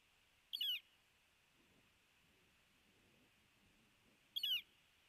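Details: A male Northern Flicker of the red-shafted form, in Missoula, Montana, on 18 October 2017 at an osprey nest, gives two loud, harsh, downslurred single calls about four seconds apart over a steady high background hiss.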